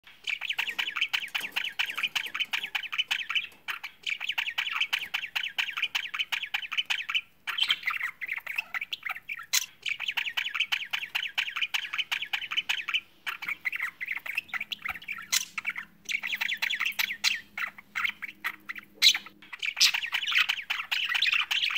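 Budgerigars chirp and warble in a busy, continuous chatter of rapid, scratchy notes.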